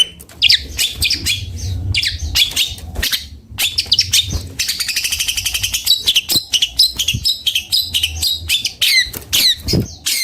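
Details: Long-tailed shrike of the cendet bondol type in full varied song: chirps, a fast rattling trill and rapid squeaky phrases poured out almost without pause.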